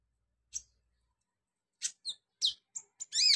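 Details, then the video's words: Olive-backed sunbird (konin) in a training recording played to make sunbirds sing, a dense 'full roll' with sharp 'tembakan' shots. Short high chirps come after a single opening note, ending in a tight cluster of squeaky notes. Otherwise quiet. "NGETREN TERAPI KONIN GACOR 2023 full roll rapat tembakan pedas"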